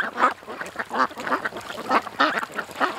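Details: Ducks at a creek call in a quick run of loud, nasal quacks, about three per second, each short and harsh, with fainter quacking behind them.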